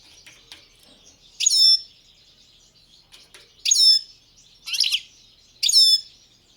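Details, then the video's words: Competition goldfinch of the Balkan subspecies Carduelis carduelis balcanica, 2022 world championship: four separate sharp, descending chirpy notes spaced about one second apart over a quiet background. "Pesma štiglića 005/22 World Championship in Goldfinch Song"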